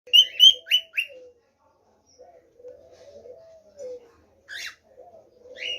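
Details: Cockatiels (Nymphicus hollandicus) singing loud, harsh chirped notes over a softer, low warbling whistle.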